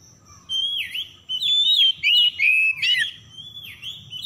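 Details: Oriental magpie-robin, called kacer, singing as a lure to make stressed birds sing: rich rising and falling whistles strung together with scratchy, buzzy ornaments in quick succession, over a soft low hum and a faint high steady tone.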